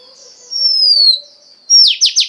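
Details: Female Oriental magpie-robin stimulating a male: a long clear whistle drifting slowly downward, a pause, then three quick buzzy downslurred notes.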